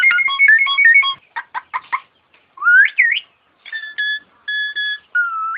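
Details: Nias hill myna singing on a training recording for cage birds: a varied sequence of clear whistles, short stuttered notes, a rising slurred whistle, then several ringing level tones and a final falling whistle.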